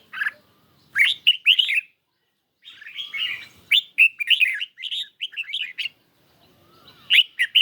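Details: Caged red-whiskered bulbul in a singing duel with a phone on a lightly sunny day. Sharp, quick chirps come in dense warbled bursts separated by short silences, and a soft gliding whistle can be heard.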